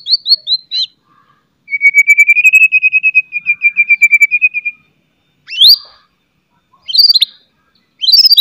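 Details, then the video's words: White-rumped shama with loud chattering and piercing whistles to set other shamas singing: a few quick notes, then a long even trill lasting about three seconds, followed by sharp rising whistles. "CETREKAN,& OCEHAN MURAI GACOR., MEMANCING BUNYI, MURAI BATU LAIN NYA"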